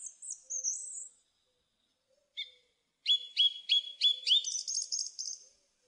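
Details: Singing song thrush giving a high slurred whistle, a lone note, then a rapid run of about seven identical sharp ringing notes that turn into a shrill trilled flourish; the background is quiet.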